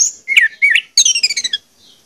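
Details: Short orange-headed thrush song fragment meant to stimulate other birds to sing: two slurred whistles followed by a fast series of high descending notes.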